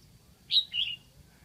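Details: Decoy red-whiskered bulbul from Lạng Sơn, singing in a cage to draw in wild birds. A crisp, high whistled couplet: a quick ringing note, a brief gap, then a longer wavering note, over a soft low background drone.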